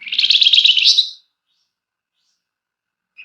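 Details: Flamboyan in gacor form, long, close ngebren with emotional nyecret, meant to prompt birds to sing; one harsh, high, quickly pulsed chatter of about a second, then long silence and a short high note.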